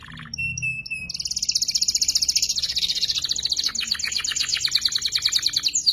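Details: Juvenile canary practising ngeriwik song, meant as a tutor for murai and kacer birds: a few short piping notes, then a long dense buzzing trill that breaks into a pulsed, rattling series.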